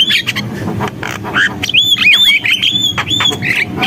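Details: Javan myna singing a run of harsh squawks that gives way to sweeping, clear whistled notes rising and falling, followed by more scratchy chatter.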